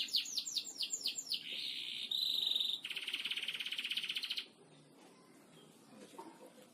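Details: Canary training song in the gacor ngebor style: fast falling whistles give way to a steady pure high tone and a long buzzy drilling trill, then near silence.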